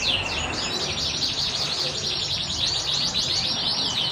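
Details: Canary of the panda type singing persistently: dense, unbroken high trills made of quick down-slurred chirps repeated many times a second, with some louder sweeping notes standing out over a steady background hiss.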